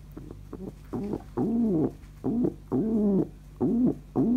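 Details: Loki, a happy pet pigeon, gives low, throaty coos in short rising-and-falling phrases, roughly one every half second, with a faint background hum.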